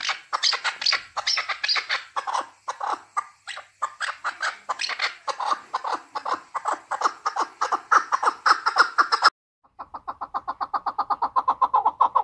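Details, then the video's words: Keklik (chukar partridge), Tajikistan, 2020: fast, rhythmic rasping chuck notes pour out for nine seconds, then after a brief cut a cleaner, evenly spaced run of quick clucking notes. "Садои Наркабки Маст 2020. Голос Куропатка (Кеклик) в Таджикистане 2020.Keklik in Tajikistan"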